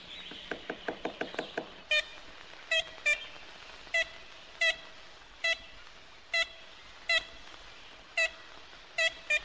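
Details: Ivory-billed Woodpecker in Florida, its probable last stronghold, recorded on a 1969 record. After a brief buzzy rattle, it gives a string of short, nasal, tin-horn toots at about one or two per second.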